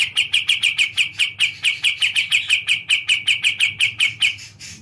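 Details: Kapas tembak, the Olive-winged bulbul popular with songbird keepers, pouring out a continuous burst of bright, clipped high notes in rapid succession, slightly fading toward the end; soft low hum throughout.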